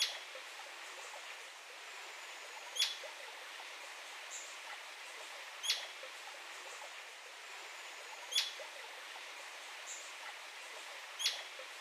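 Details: Royal flycatcher: sharp, high, clipped notes, each a brief bright downward stroke, repeated about every three seconds, four times in all, over a steady hiss of forest background.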